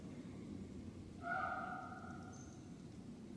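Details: Crow in Box Canyon, Maple Canyon, central Utah, on a hot summer day near a small stream gives a single drawn-out, nasal caw lasting nearly two seconds, over a steady low rumble of wind or running water.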